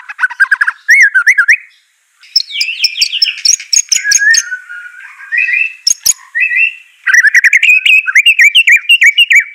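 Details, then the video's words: White-rumped shama singing, used to prompt a lazy bird to answer: bursts of quick rising whistles, a short pause, then scratchy chattering mixed with low slurred whistles, closing in rapid bright twittering phrases. "Murai Batu Malas BUNYI Pasti LANGSUNG NYAUT NARUNG dan GACOR"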